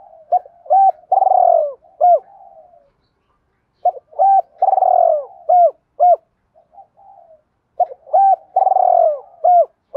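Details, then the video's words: Challenge cooing of a spotted dove, 'thúc đấu' style, meant to make wild doves call and come quickly to the trap; three repeated phrases of quick hooted notes around a drawn-out descending coo, roughly every four seconds. "tiếng cu gáy Thúc Đấu bổi nghe nhanh gáy và nhanh về cội khi đi gài"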